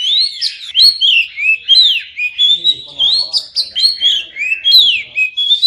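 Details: Oriental magpie-robin song to make silent birds start singing: repeated loud arching whistles and slurred phrases at a brisk pace, with faint low background sounds behind the bird.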